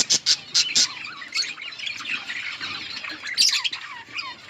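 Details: Budgerigars in an outdoor colony chirp while eating: sharp buzzy squawks open the clip, then a dense chatter of warbled, rising and falling chirps from several birds.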